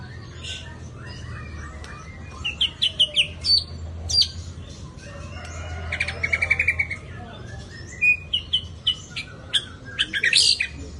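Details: White-rumped shama singing: varied phrases of high chips, trills and fluty whistles in irregular bursts, with a low rumbling background.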